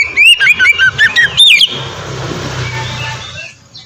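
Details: Oriental magpie-robin (kacer) in 'ngeplong' style, a master lure for training birds: a quick run of bright, looping whistled notes lasting under two seconds, then fading hiss and low background hum.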